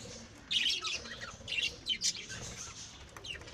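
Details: Lovebirds bred and kept at home give scattered high, harsh chirps and squeaky bursts over a steady low background hiss, loudest around the middle.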